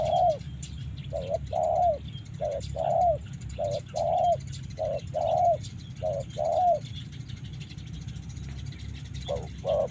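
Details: Karawang spotted dove cooing in regular groups of soft, low, rounded notes, a brief note leading into a longer falling one, with continuous low-pitched background hum and faint distant chirps.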